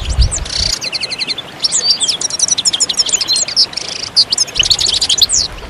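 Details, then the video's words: Goldfinch twittering song with quick series of high, ringing notes, short buzzy elements and brief trills, phrases following closely one after another. "Magical Goldfinch Songs"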